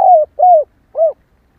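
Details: Cooing of a female spotted dove, played to excite males into calling: three mellow, slightly downslurred notes, the last shortest and softest, then silence.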